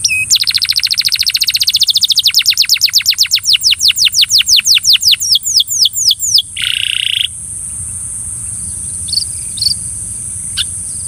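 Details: A Belgian canary, coaxing a companion canary to sing, gives a fast, bright trill of rapid repeated notes that slows into separate downslurred whistles, then a brief harsh buzz before a quiet background hiss.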